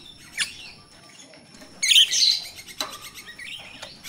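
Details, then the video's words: Jalak rio-rio myna in natural surroundings, its voice used to lure birds kept for training: a thin whistled note, a loud scratchy buzzing burst, then quick chattering clicks and rising whistles. "Suara jalak Rio-Rio asli alam// pancingan untuk jalak Rio-Rio bahan"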